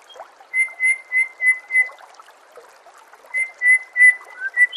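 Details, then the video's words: White-rumped shama master training recording: the same clear whistled note repeated five times about every third of a second, a short pause, then another series of matching whistles ending on a lower slur. "Masteran murai"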